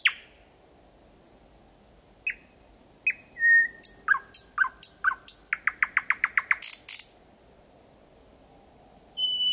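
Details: At 01:23 on a May night in Kiili parish, a thrush nightingale sings from 4–5 metres: scattered high whistles and chips building into a rapid run of hard clicking notes, a brief high burst, then quiet and a final whistle.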